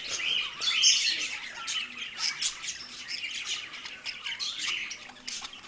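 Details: Pair of pet budgerigars giving busy, scratchy warbling chatter, loudest near the start, mixed with brief upward-sliding whistles and squawks that continue steadily to the end.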